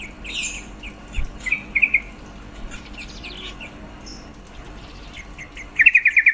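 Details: Yellow-vented bulbul female calling to stimulate males' breeding urge; brief chirps and a short bubbling phrase early, then a loud rapid string of about seven pulsed notes at the end.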